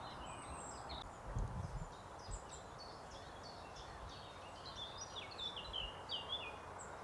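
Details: A Eurasian blackcap singing at the edge of oaks gives a fast, scratchy warble of high chattering notes throughout, over a steady low rumble of wind.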